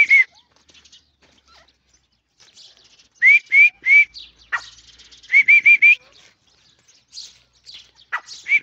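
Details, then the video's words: Partridge known locally as irani teetar giving loud, short, rising whistled notes, singly and in quick runs of three or four, separated by quieter gaps with faint background chirps. "irani teetar ke awaz"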